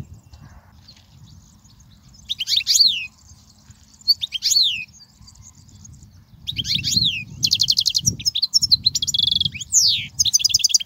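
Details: Goldfinch song for teaching fledgling goldfinches: isolated twittering phrases with sweeping slurs at first, then a sustained run of rapid buzzy trills and chirps, with low rumbling noise beneath.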